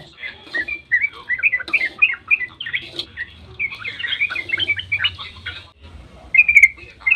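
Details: Long dawn 'ropel' singing of a sooty-headed bulbul, played to provoke other bulbuls into responding; dense chattering bursts of quick liquid notes with a brief pause, then a sharper, louder phrase near the end.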